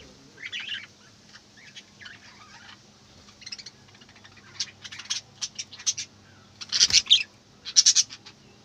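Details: Budgerigars in the morning, chattering: bursts of short, high, scratchy chirps and clicks, sparse at first, then louder, denser squeaky clusters toward the end, with a faint low hum underneath.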